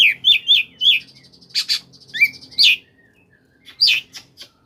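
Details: Oriental magpie-robin singing koslet, played to spur reluctant magpie-robins into song. It starts with a run of four rolling whistled notes, followed by harsh clicks, buzzy trills and a sharp rising whistle.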